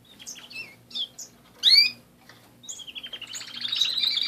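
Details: Canaries kept as pets: scattered high chirps and a loud sweeping note, then a rising rolling trill that builds in volume toward the end, over a faint background hum.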